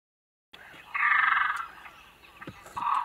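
A great crested grebe gives a harsh, croaking rattle lasting under a second, then a shorter, lower grating note; faint background hiss.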